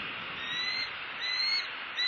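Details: Female bald eagle at a nest in Southwest Florida, recorded by nest camera on 6 November 2016, squawking as she follows the male delivering a fish. A drawn-out, thin, whistled squeal that wavers slightly and holds steady for about two seconds.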